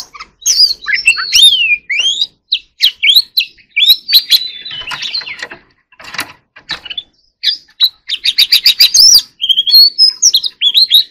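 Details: White-rumped shama in full song, mixing whistled sweeps, harsh clicks and a fast rattling series of repeated notes near the end, with bursts of broadband noise through the middle.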